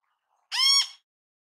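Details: Great kiskadee in natural habitat giving one loud, grating, strongly overtoned screech lasting about half a second, clean and isolated with no other sounds.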